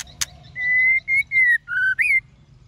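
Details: Female white-rumped shama singing to stir males: a sharp click, then a series of long, steady, clear whistles held near one pitch, one slightly lower, ending in a rising then falling whistle, over a low hum.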